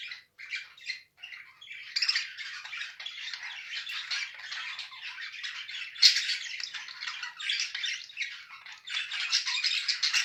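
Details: A budgerigar pair, mated, kept as pets, giving a dense stream of scratchy warbles and chirps, starting with short separate notes then merging into nonstop chattering with louder bursts.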